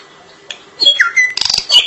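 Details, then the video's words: Drongo singing vigorously, giving a varied phrase: a falling whistled note, a short squawky warble, then a scratchy rapid trill ending on a high whistle. "Suara asli burung Srigunting gacor panjang"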